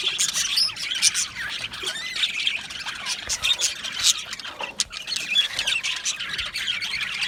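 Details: A colony of budgies in an aviary keeps up a busy wall of overlapping chirps, squeaks and harsh squawks, high and scratchy, with no break in the chatter.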